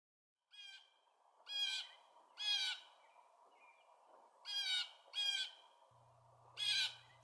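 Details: Blue Jay mobbing call: six harsh, raspy jeers about a second apart over a steady low background hum.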